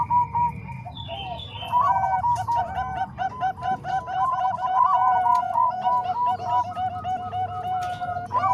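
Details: Perkutut, or zebra dove, song mixing Bangkok and Cemani Kolbuntet types as a training tutor for other doves. Continuous overlapping coos of rapid, evenly spaced staccato notes at a mid pitch, joined by brief higher chirps.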